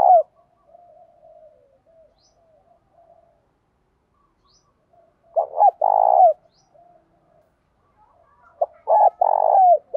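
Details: Spotted dove singing in the 'thổ pha đồng' voice style, a challenge song used to train decoy birds: two bursts of low cooing, a clipped note then a rolling coo and a downslurred tail, separated by quiet gaps with faint soft murmurs.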